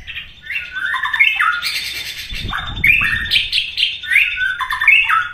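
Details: White-rumped shama in vigorous song meant to get other shamas singing: harsh, squawky, scratchy notes with rising and falling slurs, delivered in a continuous rough stream.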